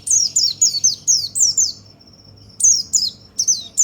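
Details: Energetic white-eye song meant to stimulate other birds: fast runs of shrill, falling high notes, a brief pause carrying a thin steady whistle, then the run resumes.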